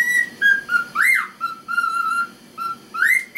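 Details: A male cockatiel excitedly whistles a learned melody, the Chocobo theme, to an ignoring female: clear, mid-pitched notes, some held and some sliding upward, in short phrases about a second apart.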